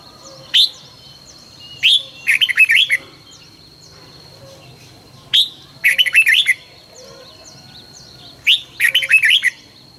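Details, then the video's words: Red-whiskered bulbul in morning song, used to train bulbuls in 2020: three repeated sequences, each a sharp opening note followed by a rapid, bubbly string of whistles, with a steady high hum and soft background chirps. "luyện chào mào hót sáng 2020- Hót hay nhanh căng lửa - Cách luyện chào mào hót căng lửa"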